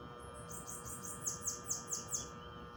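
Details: Singing Bananaquit in a natural setting, delivering a hurried string of high, sibilant notes, each sliding downward, growing sharper toward the end, with a steady faint hum in the background.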